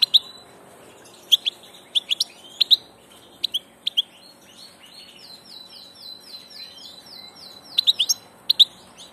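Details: Passage European goldfinch singing scattered sharp high chirps, with a middle stretch of quickly repeated falling twittered notes, like a rapid descending trill.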